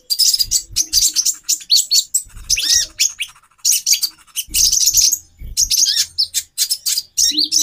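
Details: Female konin (brown-throated sunbird), a caged bird played to raise a male's mating drive: bursts of high, rapid chirps and twitters with short sweeping notes, in clusters separated by brief pauses, with low thumps underneath.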